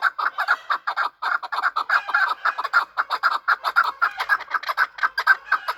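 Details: Chukar partridges kept as hunter birds call during a fight: a long, steady series of clipped, hoarse chuck notes at about two per second, evenly spaced and unbroken.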